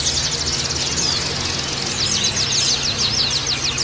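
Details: Oriental white-eye therapy song meant for males kept in group cages: a thin high chatter, faint at first, then rapid repeated downslurred chirps from about two seconds on, over a steady low hum.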